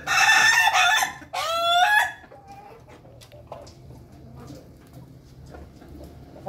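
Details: An Ayam Ketawa rooster in a coop with its flock feeding gives a loud, harsh, stuttering crow in two parts lasting about two seconds. Quiet pecking and scratching follow.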